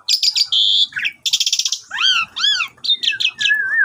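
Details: Javan pied starling song used as a morning lure to get a silent bird singing, recorded on a phone: fast varied phrases of buzzy bursts, rising and falling whistled arcs and short chattering notes, with a steady whistle at the end.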